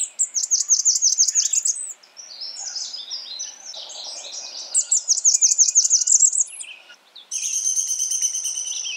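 A Blackburnian warbler gives very high, thin, rapid seesawing notes, a jumble of squeaky phrases, and a final needle-fine buzzy trill at the top of hearing.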